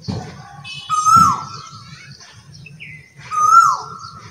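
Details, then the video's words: Asian koel song: two loud, pure whistled notes, each sliding briefly up and then falling away, about two seconds apart, with a short softer call between them and low rumbling background noise. "Asian Koyal Singing song"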